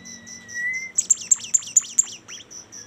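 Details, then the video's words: Bimoli bird in song: a drawn-out rising whistle, then a quick burst of six piercing notes each plunging downward, closing with a short upward slur, over continual fast high-pitched ticking. "suara super mewah burung bimoli"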